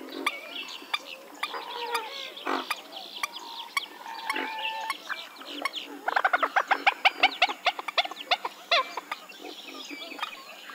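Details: Western swamphen calling in overlapping nasal honks and squeals, building to a fast burst of sharp cackling notes between six and nine seconds. Frequent clicking and other bird chatter run in the background.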